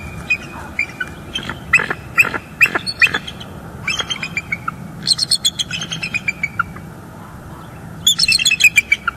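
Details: Bald eagles back at a North East Florida nest in October 2022, calling after a juvenile's visit. Scattered sharp, squeaky chirps and staccato chittering come in loose bursts over soft background noise.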